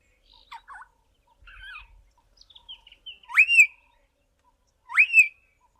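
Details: Juvenile Southern Boubou learning to sing, babbling soft, scratchy chirps and scraps of notes, then two loud rising whistles about two seconds apart that come near the adult call.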